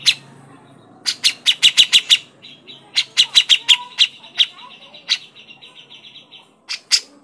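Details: Grey-cheeked bulbul (cucak jenggot) crecetan: clusters of fast clicking notes separated by brief gaps, softer and more scattered than a full rattle, with a faint hum in the background.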